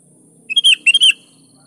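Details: Sooty-headed bulbul singing, used as a lure to get lazy bulbuls to join in: one short, loud, bubbly phrase in two quick bursts of liquid chirping notes, with a faint low hum behind.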